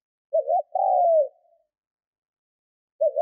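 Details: Trained decoy spotted dove cooing to excite wild doves: one phrase of a quick rising two-note lead-in and a long soft descending coo, then the next phrase beginning; background silent.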